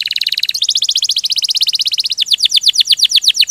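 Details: Canary singing in the rolling 'ngerol' style, used to prompt other canaries into song: rapid, evenly repeated high chirps that shift pitch in three trilled blocks, about four notes per second, with a crisp, metallic tone.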